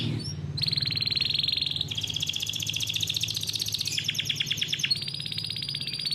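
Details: Domestic canary from a breeding farm delivering rolled song meant to teach young canaries: steady high buzzy rolls shifting pitch between sections, a short burst of separate sweeping notes, over a constant low hum.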